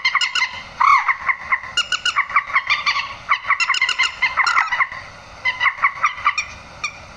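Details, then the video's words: Grey-headed swamphen calling, a sound used at night to draw birds into nets: honking, nasal notes stuttered in quick runs, one louder drawn-out squawk near the start, then chattering bouts. "tiếng trích ré"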